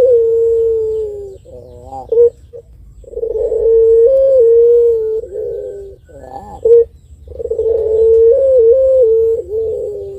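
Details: Barbary dove of the pelung contest type repeating long, deep, humming coos, each held two to three seconds and separated by short rolling notes, a long-voiced song used to provoke other birds.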